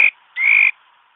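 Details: Single loud rising whistled note, a little buzzy and about a third of a second long, from a mi đất bird singing to lure others into a trap. A clipped note sounds just before it.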